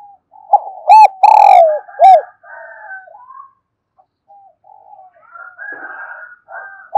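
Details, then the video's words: Kích bổi song of a spotted dove, very loud and close: a phrase of deep, hollow coos with a long falling middle note, followed by quieter faint sounds in the background. "tiếng cu gáy kích bổi"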